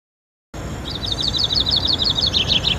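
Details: Hooded siskin (Spinus magellanicus), recorded 6 January 2013, gives a fast, high twitter of short chipping notes, about ten per second, over steady low background rumble.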